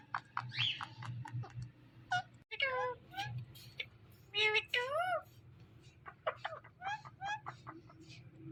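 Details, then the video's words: Indian ringneck talking parrot chattering continuously in speech-like bursts, with bending harmonic syllables and sharp clicks, and a steady low room hum beneath. "Indian Ringneck Talking Parrot"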